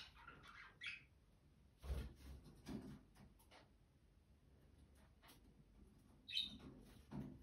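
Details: Pet budgerigars that mate every morning and have laid two eggs; a few sharp, high chirps used to stimulate breeding, with soft thumps between.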